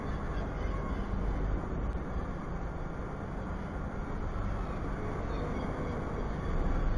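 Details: Dense city traffic drone, loudest in the low range, with a brief click near two seconds and no animal calls.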